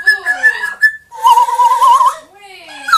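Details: Two pet parrots at home, a grey parrot aged two and an Amazon aged one, producing loud voice-like mimicry: a wavering tonal phrase, then a longer sustained warbling note in a small room.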